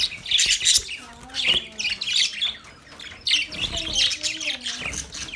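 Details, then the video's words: Male budgerigars chirping: bursts of harsh, scratchy high chatter in clusters about a second long, broken by short pauses, with a faint low hum underneath. "Male Budgies chirping sounds"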